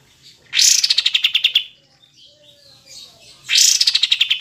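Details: Pied triller, kapas tembak, two bursts of song: each starts with a high sharp note, then a rapid series of buzzy pulses sliding down and slowing over about a second. The bursts are spaced about three seconds apart, with quiet between them.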